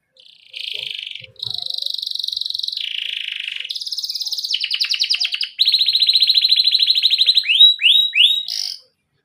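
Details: Canary singing in rolling trilled style with pauses, used as a lure so young canaries learn to sing quickly: steady high buzzy tours change pitch every second or two, then fast rattling trills and rising whistled slurs, ending abruptly.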